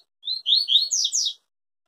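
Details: Yellow-bellied seedeater (papa-capim) singing the Tui Tui song style, said to never break while singing: a one-second phrase of high, slurred whistled notes, several rising sweeps run together, clean and without background noise.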